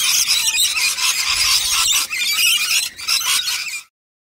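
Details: Screeching rainbow lorikeets, a large wild flock at a nectar feed, produce dense, high, rasping chatter for nearly four seconds before the sound cuts to silence.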